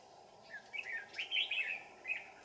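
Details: Red-whiskered bulbul singing on a cold afternoon at a mountain trapping site, December 2018. A quick run of lively, chirpy warbled notes rises to a louder cluster midway, then a final short phrase, over soft hiss.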